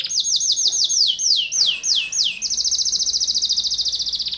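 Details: Canary singing in the dense rapid-fire 'tembakan rapat' style: a run of descending whistled sweeps, about five per second, giving way after two seconds to a fast, tight, high trill.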